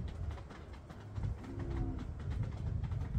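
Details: In a yard one afternoon, a male common bronzewing courting a female gives brief, deep, soft cooing growls and "ooms," low and droning, over a steady low rumbling background.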